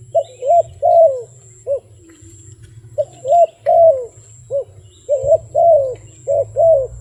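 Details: A wild dove gives bursts of soft, mellow coos, clustered in quick groups of three or four notes separated by brief pauses, over a steady low background hum.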